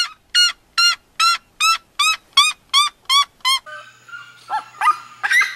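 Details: Ten ringing yelps from a red-legged seriema in quick succession, followed by a jumble of overlapping rougher calls and a faint steady hum.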